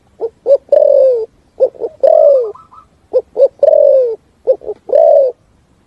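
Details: Spotted dove's 'thúc gù' song in the forest: short, hollow lead-in coos, then a long, mellow coo dropping in pitch, repeated three times. A brief higher whistled trill from another bird sounds in the background.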